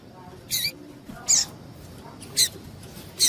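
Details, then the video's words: Female double-collared seedeater giving calls meant to excite males before singing tournaments; four short, sharp, very high chirps spaced about a second apart over a faint hiss. "PIADO DE FÊMEA DE PAPA CAPIM PARA DEIXAR SEU PAPA-CAPIM DOIDO"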